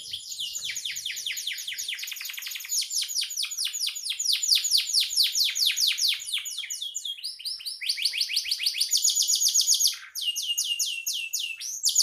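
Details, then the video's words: Canary in full song, described as gacor (singing constantly) and used as master song for training songbirds; long run of rapid, high trills of repeated downward-sweeping notes, shifting into fast buzzy rolls and whistled phrases. "Suara burung kenari gacor"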